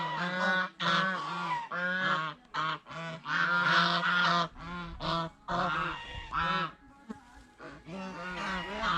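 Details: At a fish pond, geese feeding on bread and fresh vegetables honk in harsh, nasal bursts of uneven length, roughly two per second, separated by short quiet gaps, with faint background noise.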